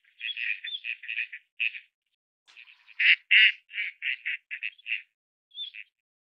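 Gadwall giving rapid runs of short, raspy, nasal notes, about three a second, pausing briefly between bursts.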